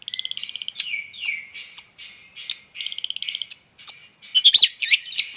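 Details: Long-tailed shrike song: rapid ticking rattles mixed with short buzzy whistles and sharp slurred notes, delivered in uneven bursts against a quiet background.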